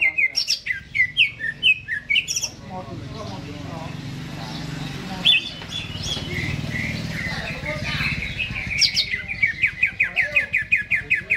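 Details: Caged greater green leafbird singing ahead of being hung up: bright looping chirps at first, then a murky, noisy stretch with faint song, ending in a fast rattling series of high clipped notes.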